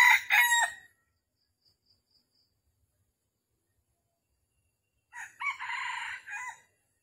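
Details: Red junglefowl at a trap site in Vietnam, morning of 13 December 2021, with a challenging wild rooster nearby. The end of one crow is followed by a long quiet gap, then a second, more distant-sounding crow in several parts.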